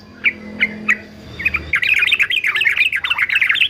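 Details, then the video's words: Yellow-vented bulbul, a fighter male, used for singing training: three spaced single chirps, then a dense, continuous, rolling chatter of rapid up-and-down notes. "TRUCUKAN JANTAN FIGHTER ANTI BISU"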